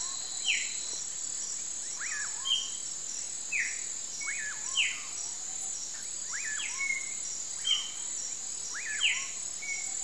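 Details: At dusk, a pauraque gives a series of rising-then-falling whistled notes at irregular intervals. Sharp descending chirps of other birds are mixed in, over a constant shrill insect chorus.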